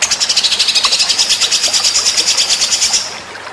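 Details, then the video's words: Master recording of a white-rumped shama for training songbirds for contests: one steady, rapid, buzzy high trill, roughly six notes per second, lasting about three seconds and then fading. "masteran murai batu"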